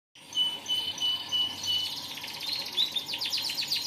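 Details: Canary singing a drawn-out, pure, whistled tone that gives way to quick bell-like trills and rapid falling chips.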